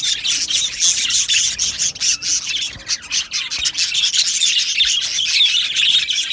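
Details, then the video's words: Australian budgies in an aviary colony, recorded 12 July 2025, chirping together: a dense, continuous wash of high, scratchy chirps and warbles with rapid overlapping notes and no pauses. "Australian Budgie Chirping Sounds"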